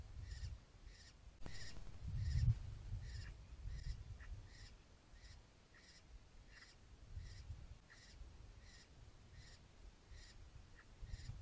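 Eurasian stone-curlew giving short, shrill, piping notes about twice a second in a steady series, over a low rumble of wind.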